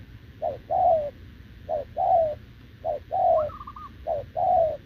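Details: Spotted dove, a wild-caught short-legged bird, coos without pause beside a decoy bird; low paired coos, a brief note followed by a longer falling one, repeat about every 1.2 seconds, with one higher wavering note mid-way.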